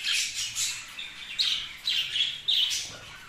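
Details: Pet budgerigars in a quick run of sharp, high chirps and squeaky squawks, about three notes a second, overlapping one another.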